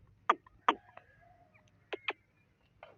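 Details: Partridge uttering loud, abrupt, harsh notes in pairs, two close together, then a pause and two more, against a low background hum.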